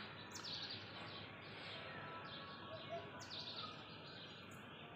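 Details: Blue rock thrush calling on a February morning at 08:28 beside a ring road at Urun Islampur, Sangli, Maharashtra: short high chirps falling in pitch, given in two bursts about three seconds apart over a steady hiss of background noise.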